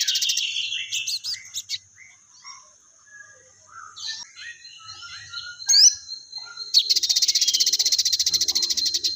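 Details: Sogon (crested jay) in full song with fighting-sparrow material: varied squeaky chattering notes, a sharp chip, then a long, loud buzzy rattle of very rapid repeated notes lasting over two seconds.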